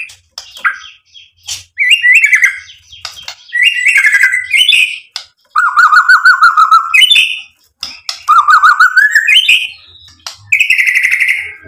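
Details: Provoking song of a white-rumped shama: separate phrases roughly every second or two, each a rising whistle or slurred warble, with some rattling notes and high sharp chips between them.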